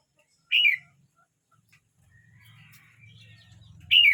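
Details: A 12-month-29-day-old red-whiskered bulbul sings one bright, downslurred whistled phrase, then after a quiet gap with a low hum in the background, another loud phrase begins.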